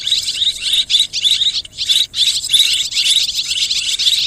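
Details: Mixed swiftlet calling, loud and shrill, with rapid chittering trills grouped into short bursts that follow one another with brief pauses.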